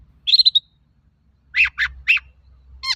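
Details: Long-tailed shrike singing, used as a lure for other shrikes: a quick stuttered series of whistled notes, then three downward-slurred harsh notes and a final rasp, within three seconds.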